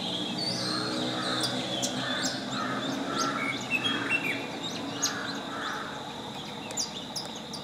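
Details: Long-tailed shrike chirping and singing: soft, rounded mid-pitched notes repeated at an uneven pace, mixed with sharp high chirps and brief clicks, over a steady high hiss and low rumbling background noise.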